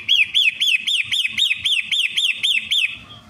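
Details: Long-tailed shrike song used as a lure, a series of twelve loud, clear, arched whistled notes repeated about four times a second, each rising then falling, ending abruptly with faint low knocking underneath.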